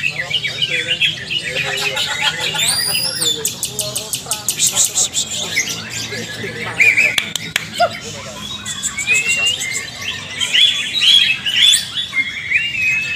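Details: A caged greater green leafbird (Chloropsis sonnerati), in training, sings a fast, varied stream of loud whistles, chattering trills and sharp chips, with other caged birds and faint speech in the background.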